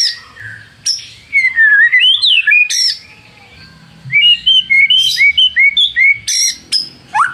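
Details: White-rumped shama song used as a lure to provoke rival birds into singing: two bursts of loud, varied whistled phrases sliding up and down, separated by a short quiet pause.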